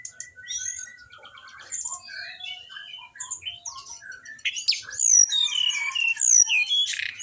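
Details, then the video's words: Training song of the orange-headed thrush for caged birds: a busy medley of short whistles, chirps and slurred notes at mixed pitches, becoming louder and denser with sweeping whistles in the second half. "di jamin anis binbin bahan ikut bunyi"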